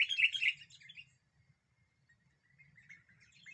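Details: Lure bird, a sooty-headed bulbul singing to provoke rivals, opens with a loud cluster of rich chattering chirps lasting about a second, followed by softer scattered twitters and a faint low hum.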